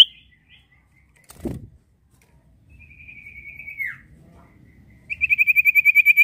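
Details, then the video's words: Lure song of a prinia, played so other birds join in: a softer trill of repeated whistled notes that drops at the end, after a short thump, then a loud fast trill of bright notes. "Pancingan Burung SIRTU Gacor Ombyokan Pasti Ikut Gacor"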